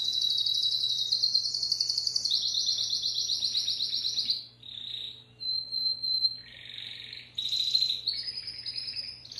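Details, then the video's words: Timbrado canary singing long fast rolling trills at a high pitch, then shorter varied phrases, a pure whistled tone and dense buzzy tours, with a faint steady low hum beneath. "تغريد كناري التمبرادو"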